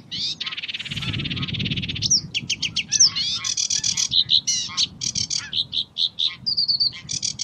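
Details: Sedge warbler, locally called kerakbasi alis hitam, singing a varied tembakan-style song: a long buzzy churring opening, then a rapid jumble of sharp chips, scratchy notes and short high trills with no pauses.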